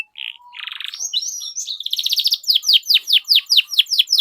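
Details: Canary song used as a lure for training young canaries to learn sounds: a buzzy trill opening into a fast series of high, downward-swept chirps repeated about twice a second.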